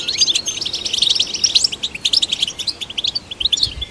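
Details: European goldfinch delivering dense, ringing twitters and tinkling trills in an unbroken flow, played to stimulate goldfinches.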